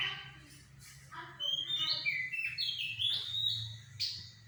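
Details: Lure song of the Sumatran laughingthrush, locally goci, meant to draw a response: softer opening notes build into a rising, fluid run of whistled phrases, then a sharp high note near the end.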